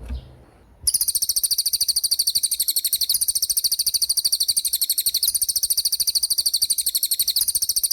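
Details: Racket-tailed treepie delivering a lively rolling 'gacor roll' song. A sustained rapid trill of high, buzzy, metallic notes starts after a short quiet moment and carries on steadily for about seven seconds without a break.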